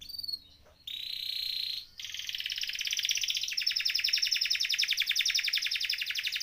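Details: Canary in full rolling song, used as a tutor and lure for canaries that have stopped singing; after a short gap comes a steady buzzy trill, then a long, fast, rattling roll of high notes repeated several times a second.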